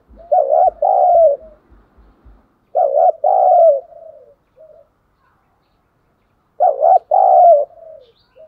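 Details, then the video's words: Decoy spotted dove in the thổ sấm voice style, calling to lure others: three coo phrases, each a rapid double note then a longer, trailing hoot, about every four seconds, with low dull knocks at the start. "Chim Cu Mồi Thúc Đấu"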